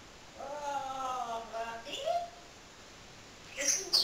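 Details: Pet talking parrot, a male, imitating human speech while telling where he wants to go; a short phrase of harmonic, voice-like syllables, then a brief higher squeaky burst near the end.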